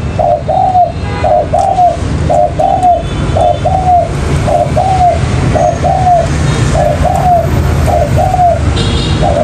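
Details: Spotted dove lure call used for trapping birds, repeated phrases of paired hollow coos, the second note longer and gently falling, recurring steadily about every second against a low hum.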